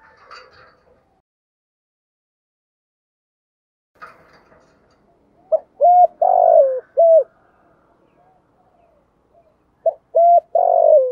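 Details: Spotted dove decoy bird, used to provoke wild rivals into cooing, in the thổ sấm voice style. After about five quiet seconds with faint rustles, it gives two phrases: a short note, two level mellow coos, then a long vibrating note sliding lower, and a final coo.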